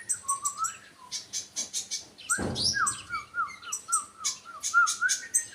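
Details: Sunbird song mixing very high, thin, rapid chirps with a string of lower, warbling, downslurred whistles, plus a brief broadband rustle or burst partway through.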